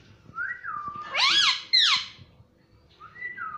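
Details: Green ringneck parrot kept as a pet, talking "mummy"; a whistled sliding note, then two loud bending nasal syllables, and another short whistled glide.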